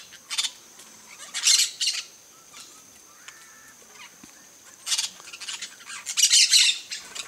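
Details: Peach-fronted parakeets in a flock at a feeder give short bursts of harsh, grating squawks in clusters, separated by quiet gaps of a second or more. A steady high faint tone runs underneath.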